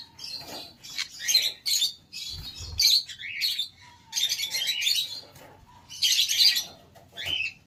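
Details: Conure calls, heard as harsh, noisy squawking bursts, about one a second with gaps between, plus a faint thin tone in the background.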